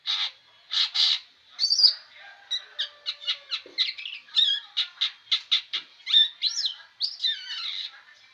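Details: Long-tailed shrike in full, restless song: scratchy, buzzy phrases mixed with quick sharp chips and rising whistles, delivered in rapid, uneven runs with no other sounds behind.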